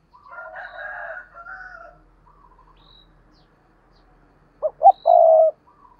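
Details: Caged decoy spotted dove giving "gù" cooing, with another bird's harsher, broken calls at the start, then one loud phrase near the end: two short hooting notes and a drawn-out low coo.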